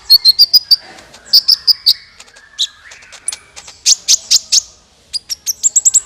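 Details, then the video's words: High, piercing chirps of a sunbird (kolibri ninja) used to lure birds for trapping, with short groups of rapid tweets, some thin upslurred notes, and brief quieter pauses between bursts. "SUARA PIKAT BURUNG KOLIBRI NINJA"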